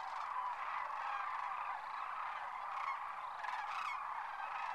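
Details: Thousands of wintering sandhill cranes lifting off at Whitewater Draw, McNeal, Arizona, filling the air with a constant chorus of rolling, trumpeting calls, many birds overlapping with no pause.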